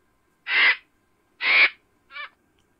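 A vulture gives two harsh, breathy hisses about a second apart, then a shorter, weaker third hiss; nothing else is heard.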